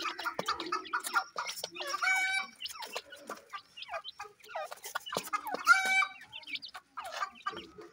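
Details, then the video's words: Deccan francolin pair kept with chicks. Two loud, nasal, harmonic-rich squawks rise above a background of short chirps and downslurred peeps. "dakhni teetar bird with chicks"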